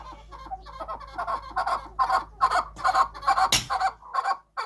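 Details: Farm-raised chukar of a large size in Quetta, Balochistan, giving rhythmic chuckling notes in bursts, about two per second, with a sharp knock partway through and a faint hum behind.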